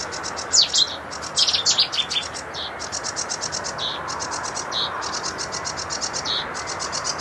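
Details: A varied sedge warbler song mixing quick down-slurred whistles and harsh buzzy notes with long stretches of rapid, rhythmic chattering ticks, set against steady background hiss.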